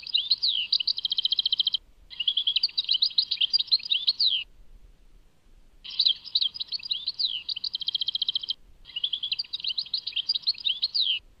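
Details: European goldfinch song, Tadmait: two pairs of fast twittering phrases mixing crisp trills and sliding whistled notes, with a longer quiet gap between the pairs.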